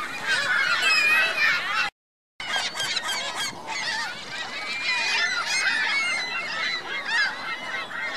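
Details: Geese accompanied by goslings at Virginia Lake, Reno, giving rapid, crowded honking and squeaky high-pitched calls; the sound cuts out briefly near two seconds, then the busy flock chatter resumes.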